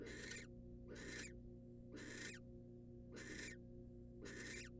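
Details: Wild female barn owl in a nest box, receiving a rat from the male: five harsh, breathy hissing screeches, each about half a second, at roughly one-second intervals over a steady low electrical hum.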